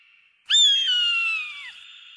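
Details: Eagle giving one sharp scream that starts high and slides steadily downward over about a second, leaving a soft ringing tail.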